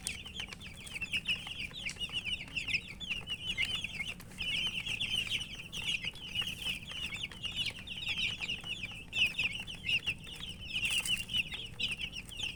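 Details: A crowd of colourful baby chicks keeps up a steady torrent of shrill cheeps, each note brief and slurred, layered so thickly that no gaps open, over faint rustling movement.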